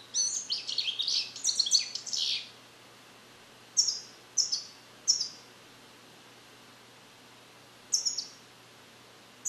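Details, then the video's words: Caged European goldfinch born in captivity in 2021, still learning Neapolitan song passages; a fast jumble of liquid twitters opens, followed by separate short high chirps spaced about a second apart. "Cardellino Passata Napoletana 2021 - European Goldfinch - Jilguero cante limpio"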